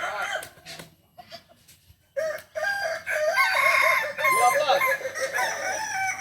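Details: Kokok Balenggek rooster crowing at a joint practice session in Solok. Faint soft notes at first, then a loud, long crow of many rapid, arched, harmonic-rich syllables. The syllables run on in a stepped chain with background chatter.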